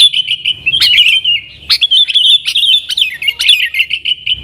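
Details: Yellow-vented bulbul singing 'nggaruda' style to lure wild sooty-headed bulbuls; clear, bubbling chirps and warbles with sharp accented notes roughly every second.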